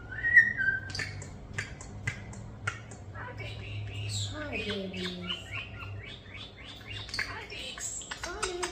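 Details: Hand-reared European starlings about a year old, talking and copying sound effects at home: a whistled note, rapid clicks, then a tumbling series of slurred whistles and chirps, with a low hum and a woman speaking softly.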